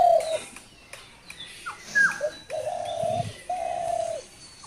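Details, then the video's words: Dove giving two long, level, hollow coo notes near the end, each lasting over half a second, after a loud opening note and scattered sharp chirps from other birds. "ঘুঘু পাখির অসাধারণ ডাক"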